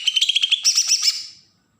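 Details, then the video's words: Bornean green leafbird from Kalimantan giving a single besetan phrase meant to provoke wild-caught birds: a steady run of fast pulsed notes that jumps higher into a harsh buzzy chatter, then fades. "cucak ijo Kalimantan suara besetan pancingan burung bakalan"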